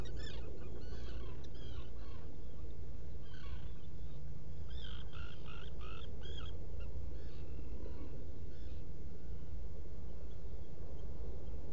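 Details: Black guillemot calling inside a rock burrow on Seal Island NWR, Maine, captured by a burrow cam in the predawn hours of 20 June 2018. Trains of short, stuttered squeaky notes cluster in the first eight seconds, then quieten, over steady low-frequency noise.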